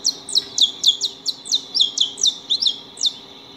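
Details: A group of saffron finches eating at a house keeps up rapid, overlapping high chirps, about four per second. Each note is a quick downward slur, creating a busy, twittering chatter.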